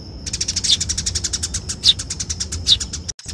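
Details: A Eurasian tree sparrow in a fighting lure-call recording gives a rapid, dry chattering rattle of high buzzy notes, about ten per second, with a few sharper chirps mixed in.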